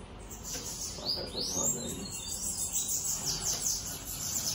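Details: Faint high, thin twittering of a loose bananaquit over a man talking in the foreground.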